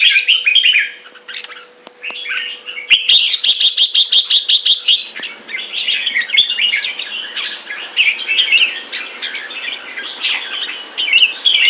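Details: Red-whiskered bulbul song from Singapore: bright warbled chirps, then a fast run of a dozen evenly spaced clipped notes, followed by busy, lively high-pitched chattering phrases with a faint low hum beneath.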